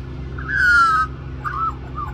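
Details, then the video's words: Magpie begging for mango at Cirillo Reserve, Middleton Grange, New South Wales, Australia; one long, clear, gently falling whistle followed by two softer warbled notes. "Magpie Sings For More Mango"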